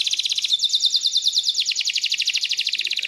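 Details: Canary singing rapid high rolling trills, fast repeated notes stacked across pitches, with a brief steady whistled tone in the middle, continuous for three seconds.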